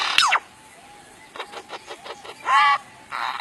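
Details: Lyrebird mimicking sound effects and other birds' calls: a sharp descending laser-like sweep, a series of short evenly spaced pulses, then a bright warbled note with stacked harmonics and a final burst.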